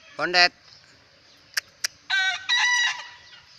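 A young bekisar crows: a brief harsh opening note followed by a longer, hoarse, strongly harmonic phrase.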